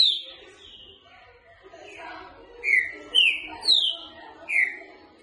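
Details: Boca mole style song of a green-winged saltator, used for training: a soft, murmured opening, then four loud descending whistles spaced about half a second apart.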